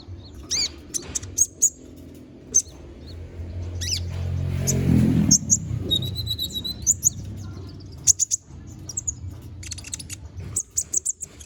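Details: Konin bird song meant for training magpie-robins: rapid, very high chips and brief twittered phrases in bursts, interrupted midway by a louder low rushing noise, then more chip series.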